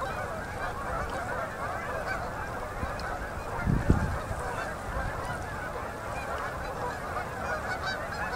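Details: Canada geese in endless migrating flocks landing on a Manitoba river at sunset in October; constant massed honking and yelping from many birds, with a brief louder burst near the middle.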